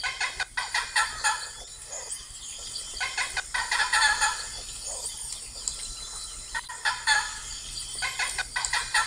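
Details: Blue macaws giving harsh, raspy squawks with stacked harmonics, in bursts of several calls separated by short pauses, loud and overlapping across the stretch, with faint steady background hiss.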